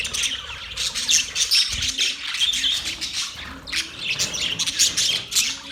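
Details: Budgerigars chattering happily with high, rapid chirps and buzzy warbles in bursts, while soft, low, arched calls repeat underneath about once a second.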